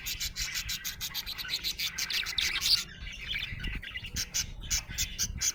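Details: Cheerful budgie giving fast, evenly spaced clicking chirps over scratchy warble, a brief softer break around the middle, then the rhythmic ticking returns.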